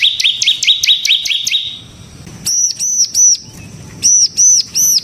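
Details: Singing bar-winged prinia of the semi type, ngebren style: a fast run of sharp rising chirps, then a pause and a series of separate, clear arched whistled notes repeated roughly every half second.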